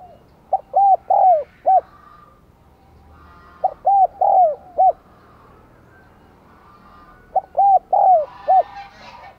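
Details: Spotted dove used as a decoy, 'giọng đồng còi' voice style, cooing to provoke wild doves. Three repeated phrases of about five low, mellow coos with a drawn-out falling middle note, each phrase spaced about three and a half seconds apart.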